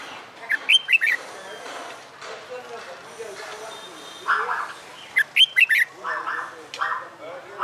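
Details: Red-whiskered bulbul, wild-caught and caged about a month, trained for fighting song: two quick whistled phrases of slurred notes about five seconds apart, with broad muffled bursts of other sound in between.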